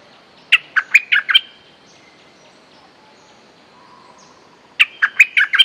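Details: Streak-eared bulbul lure song, the fierce style of a territory holder: two matching bursts of five to six sharp, bouncing chirps, separated by a silent gap of about three seconds.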